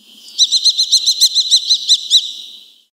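A Eurasian kestrel gives a rapid series of about ten shrill, ringing 'kee-kee-kee' notes, roughly five a second, over quiet surroundings.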